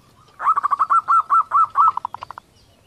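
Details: Female zebra dove's kerot call, meant to stir male breeding condition: a quick run of arched cooing notes whose gaps widen, ending in a fast flutter of shorter, softer pulses.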